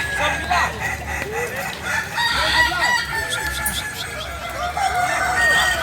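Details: Chorus of Kukuak Balenggek chickens, a breed native to Solok in West Sumatra: rising and falling crow syllables repeat quickly, interleaved with many clucks and other fowl calling at once.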